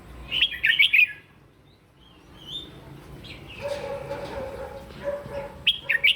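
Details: Red-whiskered bulbul in the morning, singing its fighting song for voice training: a loud burst of rich whistled notes opens, then quieter scattered notes and a murmur of lower tones before another sharp phrase.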